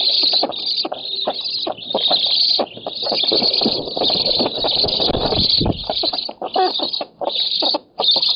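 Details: Black storks at a Polish oak nest, 7 August 2018, competing for fish. Strident high squeals come in long surges separated by short gaps, with rough rapid pulses underneath and a low thump near the sixth second.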